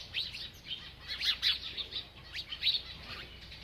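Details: While eating, a bird keeps up rapid high twitters and chirps in uneven clusters, loudest around one and a half seconds and again near two and a half seconds.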